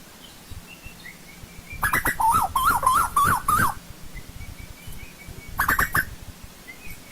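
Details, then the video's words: Asian koel calling in old-growth forest: a burst of about six wavy, rising-and-falling whistled notes, then a short second burst a couple of seconds later, with thin distant bird chirps behind. "Tiếng chim TU HÚ rừng già"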